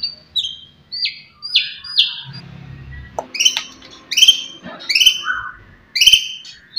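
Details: Loud song of a white-rumped shama played to stir rival birds: short downward-slurred whistles in pairs and triplets, a brief low hum mid-way, then strong two-tone notes repeated roughly once a second.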